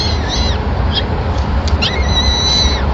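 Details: Peregrine falcons at a Madrid nest, 26 April 2016, during the first feeding of the day by the male, who brings a small bird to the chicks; several thin, wavering high cries come in two bursts above a steady urban drone.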